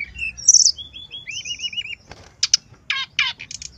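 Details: Brown-chested jungle flycatcher in full 'gacor' song, used as a lure to prompt other birds to sing: high whistled notes, a wavy trilled whistle, then rapid buzzy bursts near the end.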